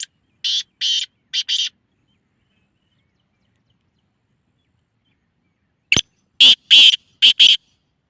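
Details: Black francolin call, used to prompt francolins to answer: a phrase of four rasping, buzzy notes, a long silence of about four seconds, then a second harsh grating phrase of five notes opening with a sharp click.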